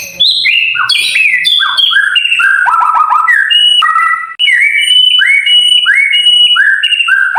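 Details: White-rumped shama tutor song for silent caged birds: rich run of clear whistles, falling trills and rising slurred notes delivered rapidly, with one brief gap midway.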